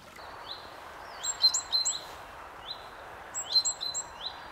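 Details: Great tit (Parus major), song.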